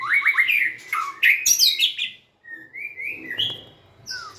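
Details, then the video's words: White-rumped shama singing with tail wagging; a burst of loud rich whistles and high sharp notes, a short silence, then quieter slurred whistles rising in pitch. "Big Sound Birds Singing Chirping, Dancing And Beautiful Tails Wagging - Birds White-rumped shama"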